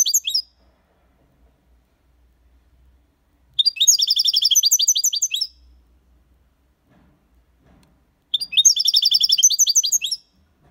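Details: European goldfinch in the Copia Málaga song style, a tutor recording for young birds: two rapid, tinkling, high twittering phrases of about two seconds each, separated by several seconds of silence.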